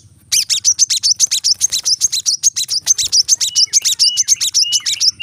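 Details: Brown-throated sunbird in 'tembakan rapat' style, a tight rapid song played to train cage birds: a continuous fast stream of loud, sharp, high-pitched chips, about two or three per second, with occasional short lower slurs.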